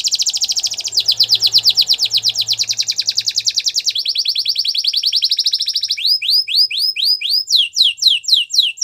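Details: Gloster canary song used for training: long buzzy rolling trills in fast pulses, shifting into a rattle, then well-spaced swooping downslurred whistles, with a faint low hum early on.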